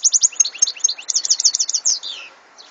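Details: European goldfinch singing, 2014: a brisk tumbling sequence of bright high twittering notes repeated rapidly, ending with slurred descending notes.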